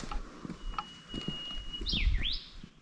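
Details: A bush warbler in Vietnamese jungle, heard as a half-hearted whistle that people first likened to a slight barking sound, holds one long, thin, steady whistle, then adds two quick swooping notes over low rustling and footsteps.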